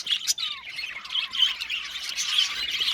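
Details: Chattering budgerigars in an aviary colony, short high chirps and a sharp squawk early on, one falling whistled note, then dense overlapping twittering.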